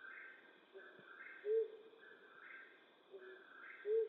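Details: Low, short hoots of a flammulated owl at night, western North America, spaced roughly two and a half seconds apart, with rhythmic higher-pitched sounds pulsing underneath.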